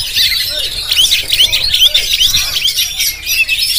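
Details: Oriental magpie-robin of the Jampang variety, recorded on a GoPro, singing a dense run of high whistled and scratchy notes. Short rising slurs repeat about twice a second over a continuous chattering background.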